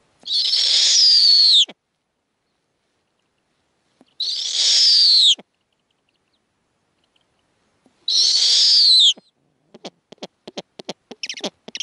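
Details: A female snowy owl on the nest with offspring while the male arrives carrying prey. She gives three long, high, hoarse screams, each about a second and a half, spaced roughly four seconds apart, followed by scattered sharp clicks.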